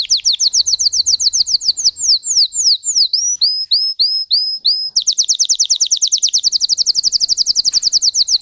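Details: Song of a Russian canary bred for singing, built from high variations: a run of rapid falling notes, a slower string of curved whistled phrases, then a dense, fast, steady trill to the end.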